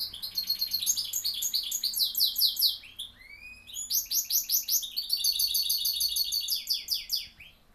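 A goldfinch hybrid sings a fast, high twittering song of rapid rolled trills and tinkling notes, with a short pause before resuming; no other sounds.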